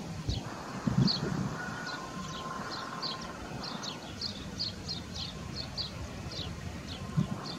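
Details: Ruddy turnstone (Arenaria interpres) giving short, clipped high notes in a quick, fairly steady series, under a heavy low rumble of wind and a few dull thumps.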